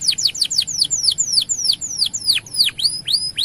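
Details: Canary singing long gacor song, used to arouse male canaries to start singing: a steady run of sharp, high downsweeping whistled notes about five per second, some dropping steeply, with a faint high overtone.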